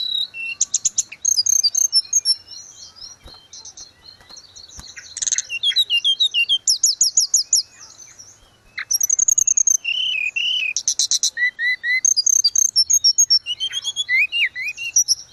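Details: Long vigorous song of a grey-cheeked bulbul, used as tutor audio for cage birds: repeated fast bursts of high chirps and buzzy trills, interspersed with slurred whistles and short descending note groups.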